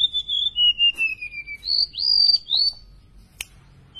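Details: Golden-bellied gerygone, tame and singing freely: thin whistles stepping down in pitch, then two higher rising-falling whistles, a short pause and a sharp click.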